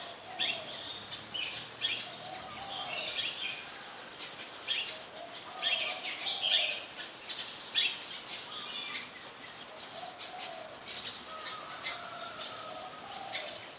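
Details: Brown-throated sunbird in Ubon Ratchathani, Thailand, on 15 January 2021, recorded with a Nikon P1000 camera: rapid, high, thin chirps and twitters repeated throughout, with lower whistled notes from another bird in the background.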